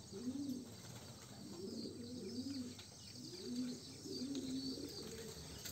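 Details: Young homing pigeons in a loft make low, rounded cooing phrases, four soft swelling calls spaced about a second apart, with faint background hiss.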